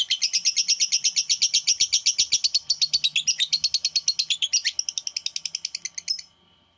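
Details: Lovebird producing the long ngekek chatter that prompts other lovebirds to sing: rapid, high, buzzy pulses in a steady run, breaking into a rougher flurry before stopping abruptly near the end.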